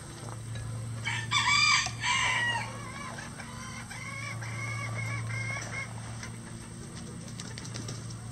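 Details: Farm roosters, part of a flock of at least 20 standard and bantam breeds that crow all day. A hoarse crow rises and breaks into a drawn-out tail, followed by a fainter, more distant crow over a steady low hum.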